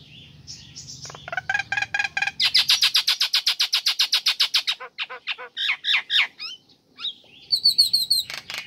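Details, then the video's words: Female Nias hill myna calling to a male: a fast run of about twenty loud, clipped notes, then varied ringing whistles and chirps over a faint hum; used as a lure for mynas that have stopped singing. "Jalak Nias Betina Memanggil Jantan"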